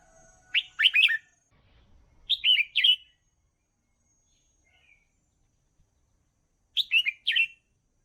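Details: Red-whiskered bulbul singing to train young birds, giving three lively phrases of quick, bubbling, up-and-down whistled notes separated by pauses of one to four seconds, with a quiet background.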